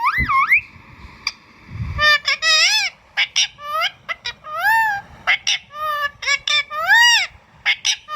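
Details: Ringneck parakeet produces a varied string of wavering, swooping whistled notes mixed with clipped harsh chirps, fairly continuous after a brief quiet start.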